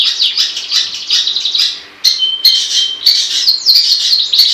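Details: A long-tailed shrike sings gacor-style, mixing a harsh, blurred chatter with a short level whistled tone and squeaky upslurs after a brief pause.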